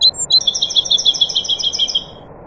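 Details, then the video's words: Nightingale singing among other birds: a quick opening chirp, then a rapid even series of about twenty high pure repeated notes that fades out after two seconds. "Taghreed nightingale bird"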